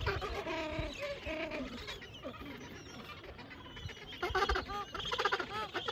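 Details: Penguins in Antarctica calling in harsh, braying bursts with several birds overlapping in a noisy colony.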